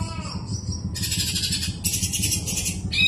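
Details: Kapas tembak white-eye with steady low background hum: thin high whistles first, then quick runs of dense, high chattering trills broken by brief pauses.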